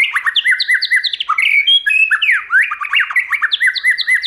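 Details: Stimulating song of a white-rumped shama, many voices: fast repeated chirping phrases mixed with clear whistled notes and sharp downward slurs, steady and loud for the whole stretch.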